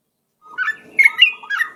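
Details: Very vocal yellow-vented bulbul lure song: a short run of liquid, whistled notes that rise and fall, with bright slurred phrases coming in quick succession against a quiet background.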